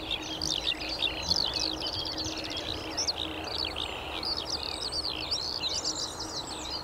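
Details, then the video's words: Skylark song with traffic noise: a rapid, ceaseless torrent of shrill chirps, buzzy trills and twisting whistled notes, loud and lively throughout, over a low background hum. "THE CHEERFUL SKYLARKS"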